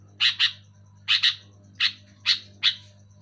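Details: Loud sooty-headed bulbul for stimulating lazy caged bulbuls: scratchy double chips followed by single harsh notes, about five bursts in three seconds, over a steady low hum.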